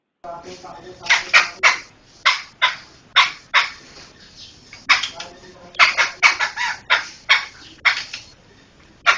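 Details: Intended as a master track for songbird training, a laughingthrush pours out a long, lively string of rasping, explosive notes, tightly packed in places, with faint softer chatter between bursts.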